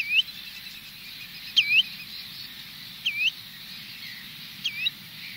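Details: Spotted redshank flock at Minsmere giving sharp, whistled two-part 'chew-it' flight calls, one about every one and a half seconds, over a soft steady background hiss; gulls and terns are in the distance.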